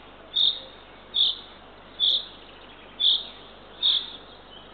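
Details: Eurasian eagle-owl chick number three being fed by the female at a nest in Northern Estonia, nest camera, 6:21 am, 3 June 2023. Loud, high hissing bursts repeat a little faster than once a second, with faint clicks.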